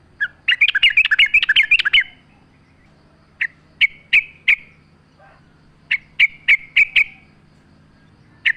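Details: Sooty-headed bulbul in a lure recording set in nature sounds. A fast chattering burst for about a second and a half, then short groups of sharp, evenly spaced chirps, with a faint low background murmur.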